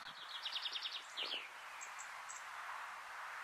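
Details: Dunnock, nominate subspecies Prunella modularis modularis, recorded at Quiberon, France, in June 2020: a quick run of thin, high, repeated notes lasting about a second. A steady rustling background and a few faint distant chirps follow.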